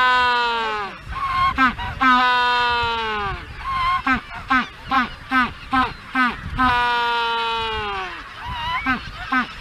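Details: Magellanic penguin giving a honking mating call on Magdalena Island, Magellan Strait, Chile: long harmonic braying notes that slide downward, then a fast run of short pulsed honks, then more drawn-out brays.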